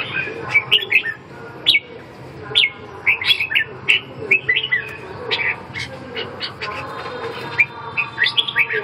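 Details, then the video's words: Red-whiskered bulbul song: repeated short phrases of clear whistled, slurred notes delivered in quick bursts about every second, over a steady low hum. "Kênh về chim Chào mào"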